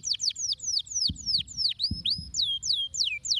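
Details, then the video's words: Canary song meant to stimulate lazy canaries into singing: a steady series of high, downward-sweeping whistled notes, about three per second, with two soft low thuds in the background. "estimular o som de canários preguiçosos"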